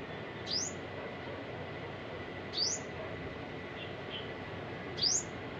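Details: On October 7, 2022, an olive-backed sunbird (Cinnyris jugularis) gives thin, high, sharply slurred call notes about every two and a half seconds, with a couple of fainter notes between, over a steady background hiss.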